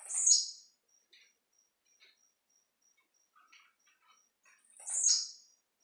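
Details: Blue-black grassquit (tiziu) giving its jumping display song: two sharp, buzzy, high bursts about five seconds apart, with a steady high cricket trill pulsing throughout and a few faint chirps between.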